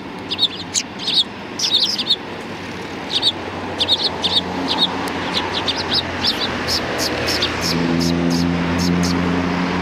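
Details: Sparrows recorded 6 December 2019 on a Tenmangu shrine approach in Japan, giving lively clustered chirps and tweets for about eight seconds before a low rumbling engine-like drone rises and takes over.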